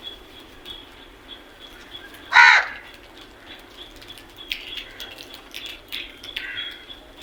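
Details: Morning crow call: a single sudden, loud, rasping caw early on, followed by faint high chirps from other birds against a quiet background.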